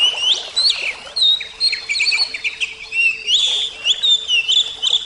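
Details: Oriental magpie-robin (kacer) song, presented as singing therapy with water sound: a rich, varied stream of loud whistled and chattering phrases, rising and falling notes in quick bursts with brief pauses, over a steady low hum.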